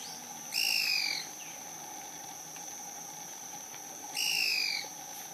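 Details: Yungas tody-tyrant in bamboo in dense yungas valley vegetation, San Juan del Oro, southern Peru: two short, slightly falling nasal notes about three and a half seconds apart over a steady high insect drone.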